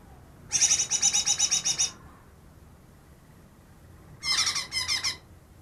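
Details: Recently caught greater green leafbird, credited with imitating ten other bird species, giving two bursts of rapid, high, rattling pulses about four per second, separated by a two-second pause.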